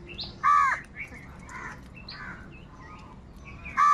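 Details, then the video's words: Wild crows calling while they fight with other birds for food: two loud, harsh, nasal caws at the start and end, with fainter calls and chirps of other birds in between. "Wild birds fight with crows for food | Crow bird live crowing sound - কাকের ডাক"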